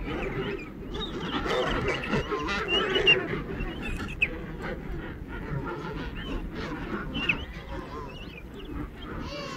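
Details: Many king penguins in a colony produce wavering, trumpet-like calls that rise and fall in pitch, layered thickly over one another above a low, rumbling background.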